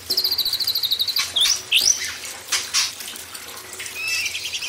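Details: Imported White-rumped shama used as a training track to make young wild-caught birds sing more eagerly. A rapid string of bright, evenly repeated high notes gives way to sharp rising and falling whistled sweeps over steady running water.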